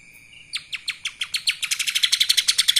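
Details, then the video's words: Accelerating kapas tembak song of a lesser green leafbird: spaced sharp downward chips speed up into a dense, bright, ringing trill, rising in loudness toward the end, with a faint steady tone beneath. "CUCAK ijo mini Fulll suara KAPAS TEMBAK...!"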